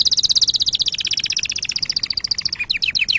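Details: Canary pouring out a rapid, continuous high trill of repeated notes, ending in quicker broken chirps.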